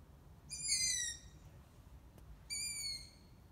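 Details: A young long-eared owl from a just-fledged brood in Ermelo, heard but not seen, gives two high, squeaky, slightly falling begging calls about two seconds apart, like a creaking gate, over a quiet background hiss.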